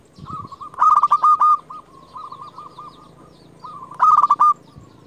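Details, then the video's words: Local champion zebra dove, kept as a lure to draw rivals, gives two loud stuttering coo phrases with a softer rolling coo between them from another dove, over a faint steady hum. "Perkutut lokal gacor JUARA Pikat terbaik paling jago memanggil lawan"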